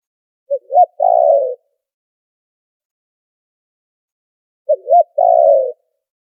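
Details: Spotted dove lure call for trapping, noise-filtered: two phrases roughly four seconds apart, each with two quick hoots and a long descending coo, silence between.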